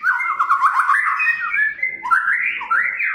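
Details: White-rumped shama of the Medan type in full vigorous song used as a lure: a dense, fast warble of rolling whistled notes, then a rising slur and a looping phrase.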